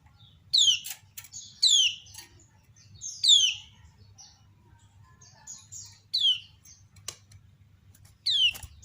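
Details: Female common iora calls while other ioras reply. Downslurred chirps come in loud pairs and singles, separated by quieter high twitters and gaps of several seconds.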